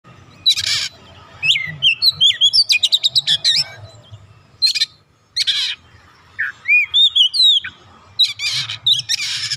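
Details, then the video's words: Oriental magpie-robin, an untrained bird that promptly joins in singing vigorously: loud bursts of sweet whistled notes and rapid buzzy trills, delivered in separate phrases with short pauses, over a faint low hum. "KACER bahan langsung ikutan gacor"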